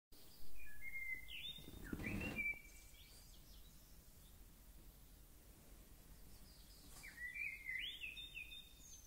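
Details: Birds singing in Grenoble: short bright twittering phrases of high, sliding whistles, one burst early and another near the end, with a loud dull thump and steady low rumbling background noise.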